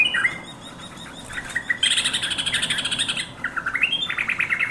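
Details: Yellow-vented bulbul (trucukan) calling companions with slurred, gurgling notes, a loud rasping buzzy burst, then fast, rhythmic chattering chirps and a final bubbly rising phrase.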